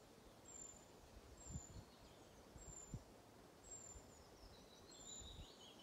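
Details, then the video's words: One of two Eurasian treecreepers at Kyrkåstjärnen, Njurunda, Sweden, on 10 July 2020 gives five very high, thin, sibilant call notes, about one per second, over a low rumble, with a willow warbler joining in. "Trädkrypare lockar"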